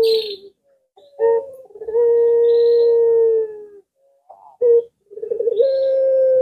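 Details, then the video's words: Puter pelung collared dove cooing: short clipped notes followed by a long, level, drawn-out hoot lasting nearly two seconds, then a stuttered lead-in rising into another sustained coo. "Burung Jenis Lainpun Ikut Nyaut Jika Mendengar Suara Puter Pelung Ini"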